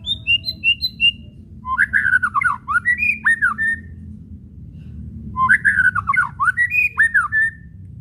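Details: Lure recording of a white-rumped shama's whistling meant to provoke caged shamas into singing: soft high twittering notes, then two bursts of rapid looping whistles with sharp up-and-down slurs, separated by a quiet gap, with faint background hum.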